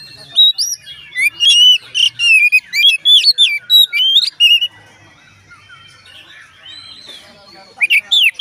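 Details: Oriental magpie-robin, song used to get other magpie-robins singing: a fast string of loud whistled and rasping notes for about four seconds, a quiet gap, then another short burst.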